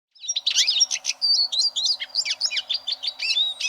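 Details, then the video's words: Eurasian siskin song, used as a tutor recording for competition canaries: a rapid twittering run of high chirps and trills with short thin whistled notes, in continuous phrases with brief gaps. "Suara Burung Eurasian Siskin Untuk Masteran Kenari Lomba"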